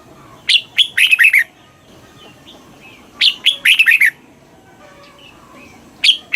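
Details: Red-whiskered bulbul song in the southern Thai master style, played to excite caged birds and teach young birds: brisk bursts of clear whistled, chirpy notes in phrases about one second long, repeated roughly every three seconds, with quiet gaps between.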